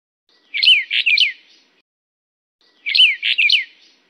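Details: Brown Bullfinch of the Taiwan-endemic subspecies Pyrrhula nipalensis uchidae gives two short phrases of three clear, high whistled notes, each slurring downward, about two seconds apart, against a quiet background.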